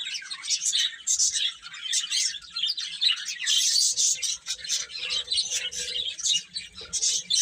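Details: Chicks feeding and playing chirp in a busy high chorus of short, sharp peeps that rise and fall in bursts, with a faint low hum beneath.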